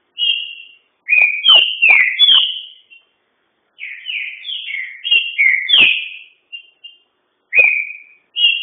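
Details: Green-winged saltator (trinca-ferro) in full song, praised for grit and speed: loud, bright whistled phrases of quick slurred two- and three-note motifs, delivered in bursts with brief pauses between them, and sharp clicking knocks scattered among the notes.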